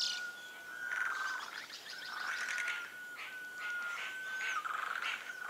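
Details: Sunbittern calls as drawn-out, even whistled notes, several in a row, each lasting about a second or more, with other birds chirping and calling around them.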